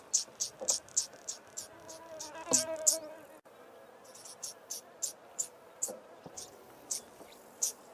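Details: Male Yellow-crowned Bishop singing from a small treetop perch near females foraging in long grass, guarding his grass patch: short, very high sizzling buzzy notes repeated rapidly in bursts, with a brief lower warbling sound midway.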